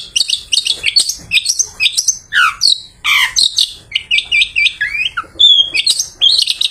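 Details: Long-tailed shrike singing after bathing, kept as a lure for other shrikes in the afternoon: a rapid, varied medley of harsh chips, downslurred whistles and squeaky notes, some sliding phrases, packed closely with short gaps.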